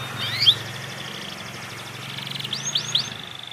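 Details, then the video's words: Young Panda canary learning to sing, giving thin scattered chirps and a few quick rising whistles, with a soft low hum in the background. "Kenari Panda belajar bunyi"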